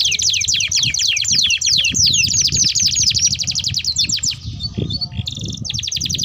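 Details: Singing canary delivering a long rolling song meant to lure and tutor young canaries: rapid sweeping trill of downslurred notes, then shifting to buzzier tours, steady and unbroken, low rumble beneath.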